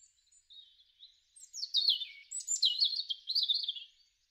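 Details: European robin in a garden in March or April 2013, singing a clear phrase: soft thin notes building into loud, fast, sweet warbling that rises and falls over two and a half seconds.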